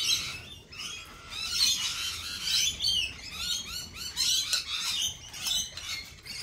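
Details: A busy flock of lorikeets at a lorikeet cafe fills the air with constant shrill, screeching chatter, many birds calling over one another in rapid, high-pitched bursts.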